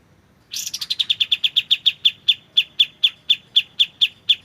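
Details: White-shouldered triller, or kapas tembak, with clear sound. A long series of about twenty high, ringing notes starts fast and jumbled, then steadies and slows to roughly four notes per second.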